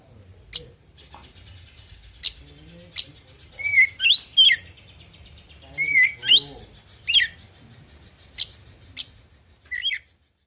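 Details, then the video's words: Oriental magpie-robin singing a full 'isian' song intended to make other birds answer back: crisp clicks, then slurred, upward-sweeping whistles in quick pairs and bursts, over a faint steady hiss. "Suara Burung Kacer Full Isian"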